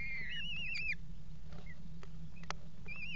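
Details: Eurasian kestrels mating at the edge of a water-tower nest box, February 2018: a long warbling whine with a downward end opens, a brief chirp follows, then another trilled note starts at the close, above low hum.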